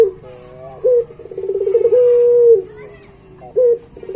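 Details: Puter pelung Barbary dove singing actively as a master track for pet doves: a low trilled roll flows into one long, even hoot lasting about half a second, followed by short bent notes.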